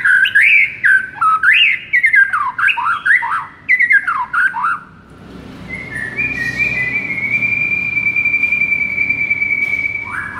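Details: White-rumped shama tutor song meant to make a listless bird burst into aggressive singing: about five seconds of fast, zigzagging whistled phrases, then one long steady whistle of several seconds.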